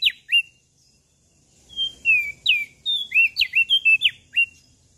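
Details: Prenjak daun from Lombok, kept songbird, singing in full voice: a brief high whistle, a pause, then a lively run of clear whistled notes, some sliding down, some flicking up, about three per second.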